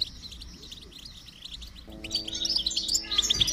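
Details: Goldfinch song for stimulating a silent goldfinch: soft, rapidly repeated chips at first, then louder bright, tinkling twitters toward the end, over faint sustained background tones.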